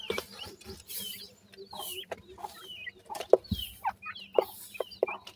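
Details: Grey francolin chicks keep up a string of high chirps and slurred peeps, mixed with lower soft notes and a few sharp taps, over gentle background noise.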